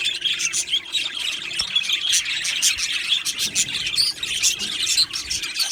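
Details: Budgie colony in an aviary chirping busily, with repeated bright tweets and buzzy chatter layered into a steady high-pitched babble and a soft hum beneath.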